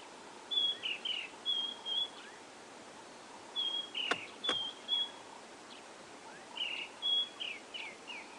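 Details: White-browed Scrub Robin singing at sunrise on an autumn morning, 13 April 2016, in Kruger National Park: short, high whistled phrases ending in quick falling notes, about every three seconds; two sharp clicks and soft outdoor background.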